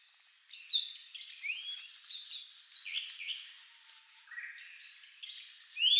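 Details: A subadult Grey bunting sings at Kagami Pond, Togakushi, alternating with a Siberian blue robin: high, clear whistled notes and short slurred trills in a busy string of phrases, with the other songbird's notes woven through.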